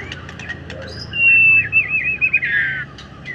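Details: In an afternoon setting, a white-rumped shama sings a loud, clear whistled phrase that breaks into a rapid warble, preceded by a few soft chirps.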